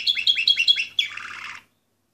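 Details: Canary of the Orpheus breed, number 24, 2014: a quick series of four looping whistled notes followed by a fast buzzing trill lasting about half a second, then silence.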